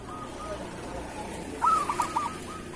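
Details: A local zebra dove in kerot style, recorded as a master for doves that are lazy to sing: after soft background purring, one short burst of bright cooing notes, four quick beats.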